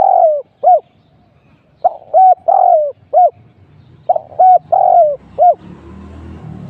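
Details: Spotted dove cooing as a trapping decoy. Three rhythmic phrases of arched hoots and a drawn-out falling croon. A rustling, clattering noise starts near the end.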